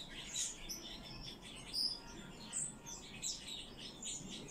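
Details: Rescued common chaffinches kept in care give short, high, sharp chirps, roughly two or three a second, with soft overlapping twitter and a faint low hum behind.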